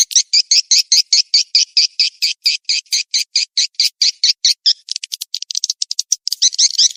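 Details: Swiftlet call used to lure for mating chase: a steady run of sharp, clicky high twitters about 143 per minute, then faster, more ragged bursts near the end.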